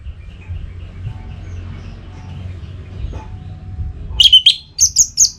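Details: Orange-headed thrush singing in breeding mood to call a rival: after a quiet start with low hum, a burst of high, quick warbled notes begins near the end and repeats in short clustered phrases.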